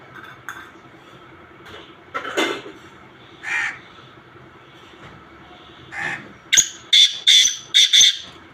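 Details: Black francolin (kala teetar) in a run of mixed calls: scattered softer harsh notes build to a closing series of four loud, rasping, clipped bursts delivered in rapid rhythm.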